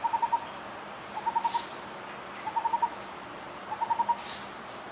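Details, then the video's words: Lineated barbet singing quick clusters of four or five even, hollow hoots, the clusters spaced about a second apart, against constant ambient hiss and a couple of soft rushing noises. "LINEATED BARBET"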